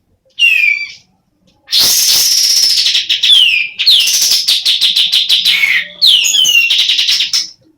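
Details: Semi-breeding female sooty-headed bulbul delivering dense raspy chatter, long buzzy stretches mixed with rapid clipped notes and downward-slurred whistles, after a brief opening note.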